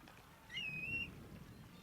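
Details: Black-bellied (grey) plover night call: a single plaintive, slurred whistle about half a second long, rising slightly and holding high, over a low background hum.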